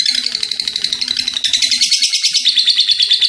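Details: Energetic lovebird chatter in the ngekek style, a dense stream of sharp high-pitched pulses with a faint low murmur beneath.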